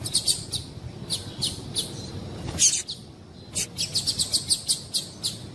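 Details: Female double-collared seedeater call, used to stimulate captive males to sing: short, thin, high chips, loosely spaced at first, then a quick run of about eight notes at the end, over faint hiss.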